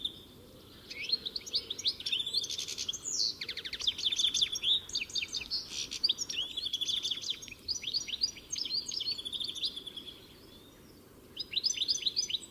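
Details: Sustained goldfinch song of rapid, tinkling, twittering phrases mixed with dry trills, falling quiet near the end before a final burst of chatter.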